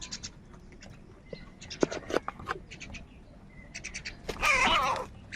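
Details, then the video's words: Crows gathered in the morning, fighting over food: a loud, harsh, wavering caw near the end follows scattered short chirps and thin whistled notes from other small birds. "Many Crows Crowing Sounds and Crowing Noises in the Morning | Crow bird Fight for Food"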